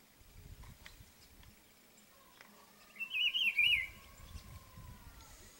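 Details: Rufous-browed peppershrike (pitiguari) singing from an ipê tree while marking territory: one short, loud whistled phrase of quick undulating, warbled notes midway through, over quiet rustling background noise.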